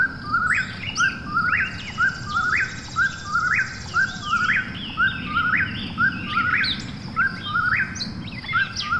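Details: ['Eastern whip-poor-will at night giving a long run of rhythmic whistled phrases, about one per second, each rising sharply at the end, with a brief high buzzing insect trill early on.']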